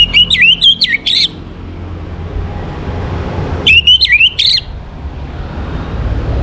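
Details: Orange-headed thrush morning song, a quick phrase of short, clear whistled notes that step up and down, repeated after a gap of about two and a half seconds, with a low background rumble.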